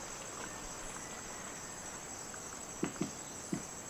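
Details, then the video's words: Red-necked Woodpecker (Campephilus rubricollis) in rainforest at Sadiri Lodge, Madidi NP, Bolivia, giving its double knock: three sharp, hollow wooden raps, two close together then one more, over constant high insect hum. "Red-necked Woodpecker (Campephilus rubricollis)"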